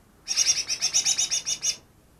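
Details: Newly caught greater green leafbird, said to imitate ten other birds, produces a steady run of about twelve rasping high notes over one and a half seconds against a quiet background.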